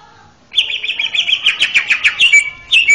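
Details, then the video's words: Male greater green leafbird delivering a training song for young birds: a steady, rapid warbling trill of rolling notes lasting about two seconds, then a short whistled phrase. "SUARA MERDU MASTERAN CUCAK IJO JANTAN!!! JAWARA TERAPI BAKALAN"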